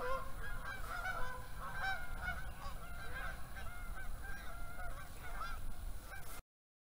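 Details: A flock of geese already heading south on the first day of fall, honking continuously in a dense overlapping chorus of nasal calls, with low rumbling background noise until the sound cuts off near the end.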